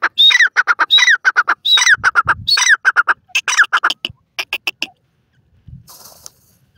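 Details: Grey francolin (irani teetar) calling with rapid series of sharp, harsh repeated syllables and rising whistled notes, phrases tumbling together, then fading to scattered notes and a brief rustle near the end.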